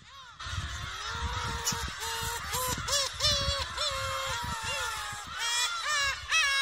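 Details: Young black-tailed gull at a shrine in Aomori, Japan, 2 December 2018, around 15:54, gives a rapid run of nasal, mewing calls, some rising and some falling, almost without pause, over a low wind rumble.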